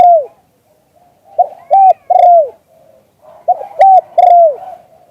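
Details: Spotted dove cooing in the style known locally as liu tan, recorded live: two short clipped coos and a longer falling note, the phrase given twice with soft murmuring between.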